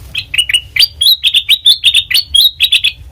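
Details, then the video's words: Black-crested bulbul song meant to lure birds for trapping: a continuous series of clear, bouncy whistled notes, about four per second, each with a sharp rising start, loud and clean. "Suara Asli Kutilang Emas Pancingan Pikat Masteran"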